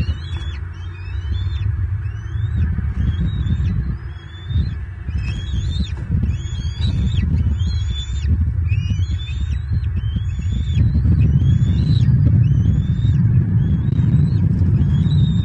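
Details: Young bald eagles at the nest in Southwest Florida on 22 March 2023, one just reaching the veranda branch, recorded by a nest camera: a long series of thin, piping, up-slurred squeals in quick succession beneath steady loud wind rumble.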